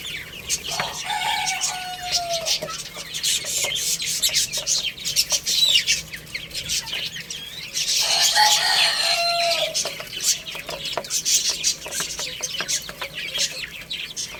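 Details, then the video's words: Baby chickens playing and eating, giving dense high chirps and peeps throughout, with a couple of louder descending calls and busy scratching and pecking noises. "Cute Little Chicks Chirping Sounds| Baby Chicken Playing and Eating"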